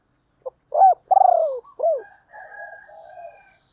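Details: Spotted dove hen used as a decoy for wild birds, giving a clipped note, a loud arched hoot, a pulsing falling coo and another arched note, then softer drawn-out hums. Clean, quiet setting.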